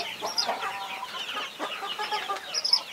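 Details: High, sharp peeping from the 21 chicks dominates, with soft clucking from the mother hen guarding them mixed in at a lower pitch.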